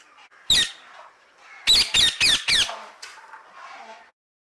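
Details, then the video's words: A single harsh parrot squawk, then a tight series of four more, over a murmuring background with soft chatter. "parrot 앵무새 소리"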